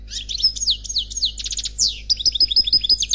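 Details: European goldfinch, unpaired, singing Khalwi style: varied, high, scratchy notes with swooping slides and a fast rattle, then a run of clipped, repeated twitters.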